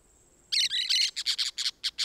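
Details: Orange-chinned parakeet in Costa Rica giving a harsh, squawky opening burst followed by a quick series of short, sharp high chirps, about eight notes in a second and a half.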